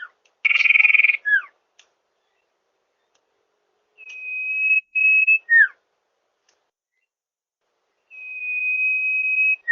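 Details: Common iora lure call for attracting wild birds: a harsh buzzy burst, then long level high whistles, each ending in a short downward-slurred note, repeated with silent gaps.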